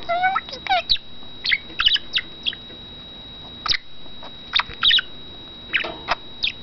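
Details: Caged pet male budgerigar chattering in bursts of quick warbled and rising notes, sharp chirps and clicks, followed by sparse scratchy notes; a faint constant high-pitched tone runs underneath.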